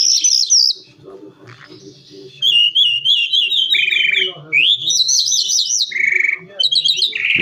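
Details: Calandra lark song, a varied run of high trilled phrases, wavering whistles and short chirps switching pitch often, with soft low room noise between phrases.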